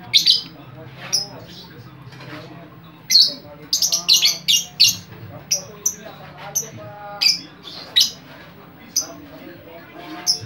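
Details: Talkative lovebird calling to attract other lovebirds: a busy run of shrill chirps and harsh squawky bursts, clustered rapidly in the middle, with quieter warbling notes and a steady low hum behind.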